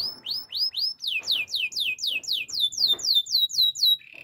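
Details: Yorkshire canary singing a training song, a rhythmic tour of sharp downward-sweeping whistled notes repeated about four times a second, ending on a short buzzy rolling trill.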